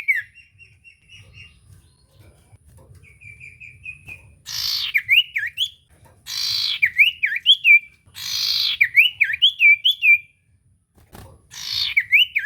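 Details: An energetic common iora, intended as a lure for a silent iora, gives soft repeated short notes, then four loud phrases of zigzag whistles each introduced by a rough buzzy burst, roughly every two seconds.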